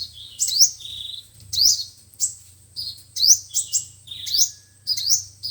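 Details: Five-colored and seven-colored sunbird song played to lure wild birds into traps: high, sharp rising sweeps alternate with flat thin chirps in a steady stream of bright notes, with a low background hum.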